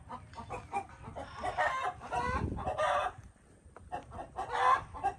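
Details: Quieter chickens clucking and squawking in loose bursts, partly blurred by low rumble and a thumping noise midway.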